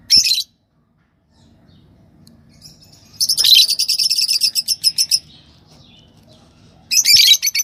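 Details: Yellow Fischer's lovebirds, a pair, give a sharp chirp, then a sustained two-second run of rapid, buzzy chattering notes, and finally another shrill burst.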